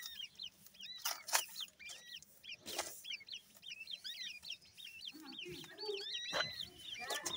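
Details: High, arched peeping from a group of grey francolin chicks, repeated rapidly and overlapping, over a steady background hiss with a few sharp knocks and a brief low clucking.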